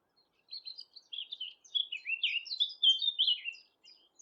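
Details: Nightingale song recorded at Thurrock Thameside Nature Park on a Panasonic GH6: a quick, jumbled run of high chirps and warbled notes that builds in loudness through the middle before trailing off.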